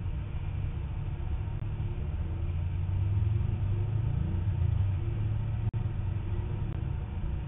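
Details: Steady low rumble like wind or distant traffic on a falcon nest camera, with one brief click near the end and no animal sound.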